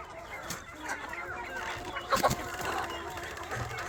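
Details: KUB village chickens at a breeder's farm in Aceh Besar; a flock gives scattered soft clucks and murmurs, with a louder burst of sharp clucks near the middle over a steady barn hum.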